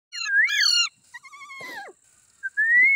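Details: Green Indian ringneck parrots, a baby among them, vocalizing together: a loud harmonic warbling burst with wavering pitch, then softer gliding whistled tones, a brief pause, and a final rising whistle.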